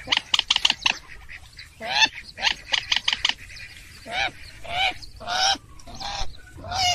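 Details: Purple swamphen call used as a lure for trapping, version F7: harsh nasal honking shrieks alternating with quick bursts of short sharp notes, repeated in loud uneven phrases.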